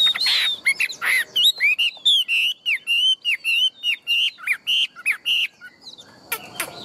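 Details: Tame, large-bodied Chinese hwamei singing loud, rich whistled phrases: rapid slurred notes rising and falling, a run of repeated ringing whistles, then sharp high flicks, with a short pause between bursts.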